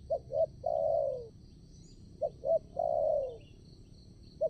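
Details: Decoy spotted dove calling at a new site to lure wild doves for trapping. Each phrase has two short coos followed by a long, drawn-out falling coo, repeated roughly every two seconds over a faint high hiss.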